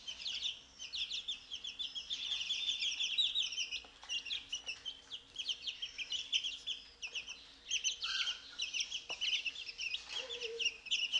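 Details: Several 14-day-old chicks let out in the morning and eating mealworms; steady high cheeping, many birds at once, with short pauses, a lower chirp and a faint downward note late on.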